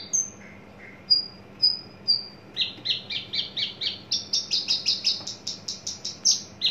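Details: {'caption': "Caged adult male Horsfield's bush lark coming into breeding condition starts with a few thin high whistles, then breaks into a rapid run of buzzy chirps, several per second."}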